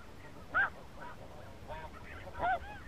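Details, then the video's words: Snow geese, spring 2017, heard as a busy flock: two louder nasal honks about two seconds apart rise over softer overlapping yelps from many birds. "Spring snow goose 2017"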